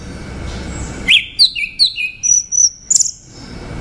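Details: Orange-headed thrush song: a quick series of sharp, bright whistled notes, several sliding downward, ending in a high rapid trill-like flourish.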